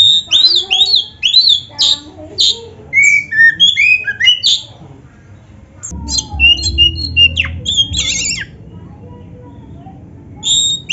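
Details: Oriental magpie-robin (kacer) in a full-filler training song, loud varied whistled and chattering phrases in bursts, a pause with low rumbling noise, then more harsh and whistled notes.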